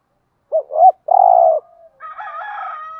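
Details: Spotted dove cooing, from a recording said to mix male and female doves and used to stir kept doves into cooing: two short soft low coos, then a longer rolling coo, followed by a brighter, harmonic-rich tone for about a second.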